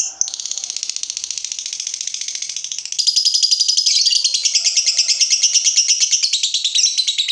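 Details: Lovebird kept as a fighter bird, stirred up on seeing an opponent, giving a rapid rattling high chatter that starts softer and becomes louder and harsher after a few seconds, continuing steadily.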